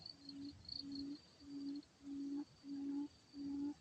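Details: Quail lure call for trapping, the energetic fighting type: six low, even hoots of similar length, spaced by short pauses, with a faint thin insect buzz running high in the background.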